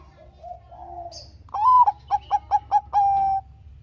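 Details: Zebra dove, Bangkok type, singing keenly as a lure to make lazy doves sing: soft low coos first, then a loud rising note, five short quick pulses and a long flat closing coo.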